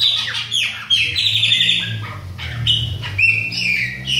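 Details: Bahia-type Chopi blackbird, adult with young, giving sustained ringing whistles and quick chattering notes, near-continuous, with a constant low mechanical hum underneath.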